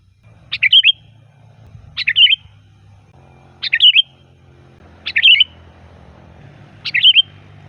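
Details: Five short bubbly whistled bursts from a sooty-headed bulbul, about one every one and a half seconds, used to call bulbuls in, over a faint low hum.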